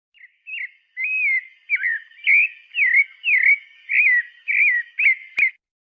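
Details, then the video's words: Pale-breasted thrush singing a string of clear, slurred whistled notes, each rising or dipping, delivered about twice per second in a steady phrase with no other sounds behind it. "Sabiá branca"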